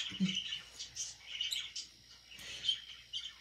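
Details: Budgerigar kept as a pet, chirping while eating: soft warbling chatter with occasional squeaks over a low steady hum and some light knocking.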